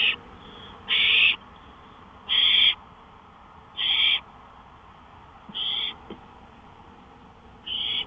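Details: Porch at night, 1:53 AM, May 5, 2013: an owl repeats short rasping hissy notes roughly every one and a half seconds, the later ones a little fainter, over low hiss.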